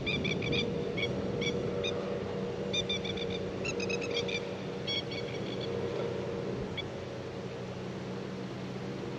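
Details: A new male Australian magpie sits on a tractor seat, singing softly while lightly preening, a quiet run of clear warbled and chirped notes in short bursts, in windy conditions over a steady low engine-like hum.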